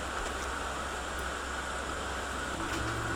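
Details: Steady rushing water-like noise fills the whole recording with a low hum underneath and no animal calls.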